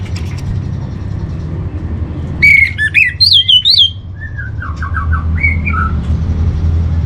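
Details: Orange-headed thrush master song to steady emotion and breeding drive in home birds: a loud run of bright, bouncing whistles and chirps, then softer lower warbled notes, over a continuous low rumble.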